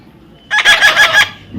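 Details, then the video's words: Young parrot during taming, calling in a rough, buzzy series of about five rapid pulses over roughly 0.7 seconds, with a person speaking to it just before and after. "natural funny parrot sound"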